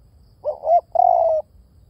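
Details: One two-part phrase from a spotted dove, a swelling coo ending in an upturn, then a longer, slightly pulsing coo that fades out evenly, over a faint rumble.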